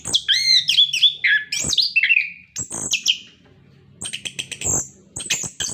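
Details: Orange-headed thrush song used to prompt captive birds to sing: looping whistled slurs and sharp high notes in bursts, a pause, then quick clipped rattling notes.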